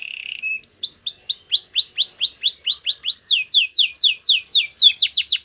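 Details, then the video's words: Canary song used for training: a brief low buzz, then a long series of arched whistled notes at a steady pace, shifting into faster, sharper descending whistles toward the end. "Canary's training song"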